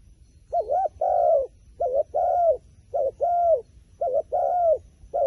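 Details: Wild pigeon calling in paired phrases: a short wavering coo followed by a longer, steady, slightly falling coo. The pair repeats about once a second over a low rumble of background noise.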